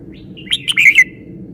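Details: Red-whiskered bulbul, a caged bird kept for song display, gives a short phrase of three or four loud whistled notes, slurred and warbling, falling slightly at the end, over faint low background hum.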